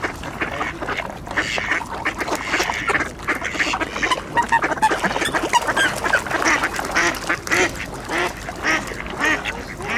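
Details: Mallards and Eurasian coots crowded at a thawing ice hole in winter, quacking for position in a seed-feeding frenzy: a dense, overlapping chorus of harsh, nasal quacks and chatter, with splashing, flying and bustle throughout.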